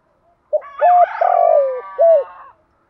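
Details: Spotted dove decoy cooing, used to lure and provoke wild doves, from a recording that includes both males and females: a sequence of soft hollow coos, with a longer wavering middle note and a short final coo, in otherwise silent surroundings.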